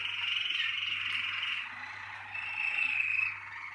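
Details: Malinois Waterslager canary, part of a 2019 breeding team, delivers a continuous rolling trill that dips slightly midway and then resumes on a higher, clearer note, with a faint low hum underneath.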